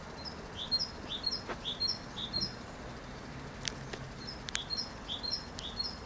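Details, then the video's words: Great tit (Parus major) singing: high, clear two-note phrases repeated rapidly in a steady see-saw rhythm, with a few sharp clicks and a faint low rumble in the background. "Chant de Mésange charbonnière Parus major Great Tit"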